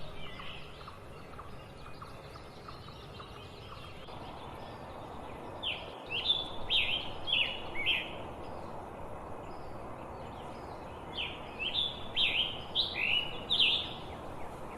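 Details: Scarlet tanager sitting in a tree gives two hoarse, burry phrases of about five quick slurred notes, each a few seconds long, over a steady rushing background noise.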